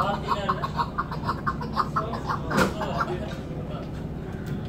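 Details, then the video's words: Tethered hunting chukar partridge, Turkey, gives a steady run of hoarse, clucking notes, about two each second, with a faint murmur and a clack in the background. "PARTRIDGE SOUND"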